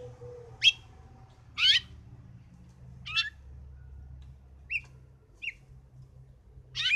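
A house finch gives six short, bright chirped notes at uneven gaps of about a second, some with a quick warbled twist, over a faint low hum.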